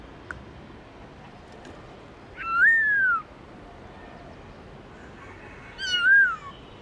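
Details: Black-throated laughingthrush singing in the wild style (giọng rừng): two loud, clear whistled phrases, each sliding downward with a slight rise first, separated by about three seconds of quiet background hiss.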